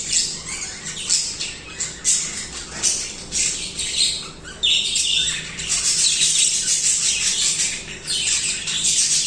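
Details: Budgies singing without pause, starting with spaced sharp chirps that build after a few seconds into a loud, unbroken wall of buzzy, squeaky warbling.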